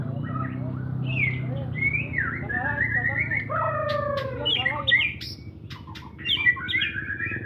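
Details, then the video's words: Song of a white-rumped shama: sweeping whistled phrases that glide down and up, then clipped sharp notes and short chattering bursts, over a low background hum. "SUARA GACORAN MURAI JAWARA"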